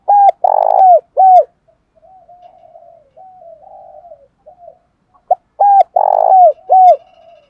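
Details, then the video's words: Spotted dove decoy calling wild doves at morning, repeating a deep, vibrating coo phrase with a downward final note, with quieter breathy coos and faint clicks during the gap between phrases. "Tiếng chim cu mồi gáy gọi bổi buổi sáng"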